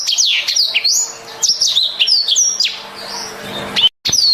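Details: Black-throated canary pouring out vigorous, melodious song: rapid high slurred whistles and chips, easing into softer twittering before a brief break, then resuming with sharp whistled notes.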